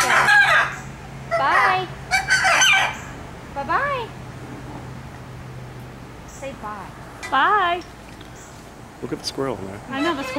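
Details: Blue macaw, known to say 'pretty girl' and 'bye', producing a series of hoarse, arching, voice-like calls that rise then fall, given in irregular clusters every second or two over a faint low hum.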